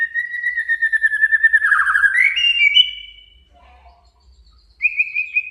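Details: A male white-rumped shama's challenging song to provoke a rival. It gives a long pulsing whistle that sags then lifts, a faint low note, and a final clear level whistle.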